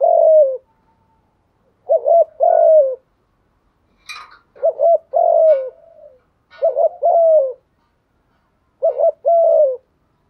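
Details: Steady spotted dove cooing for stimulating newly caught doves: four phrases, each a clipped doubled coo and a longer gently falling coo, repeated about every two seconds, with one brief high chirp between phrases.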